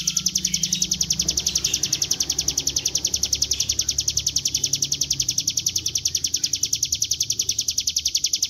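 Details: Continuous ngebren-style singing of a Bar-winged prinia (ciblek gunung), meant to lure the bird into song: an unbroken, metronome-like rattle of high, piercing notes lasting the whole stretch, with faint low background hum.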